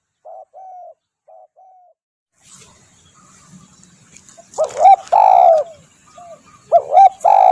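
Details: Spotted dove cooing, a recording used for bird luring and song tutoring; faint short coos at first, then loud mellow coo phrases of a quick double note followed by a long drawn note, with a soft hiss in the background.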